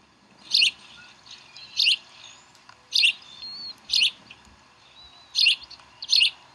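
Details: Bald eagles at the Decorah nest on 11 April 2012, serving brunch to the chicks. Bright, piercing chirps repeat about every second, with faint whistled notes in between.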